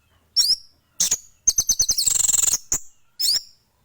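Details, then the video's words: Short burst of song from a male orange-headed thrush: sharp high chips, then a fast run of clicking notes merging into a buzzy trill, ending with two quick chirps. "burung anis merah jantan gacor full sampai telerr"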